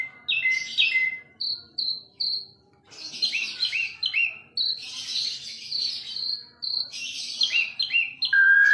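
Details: Asian pied starling singing a varied phrase of clear high whistles, repeated short whistled notes, falling slurs and harsh buzzy notes, with brief pauses between phrases.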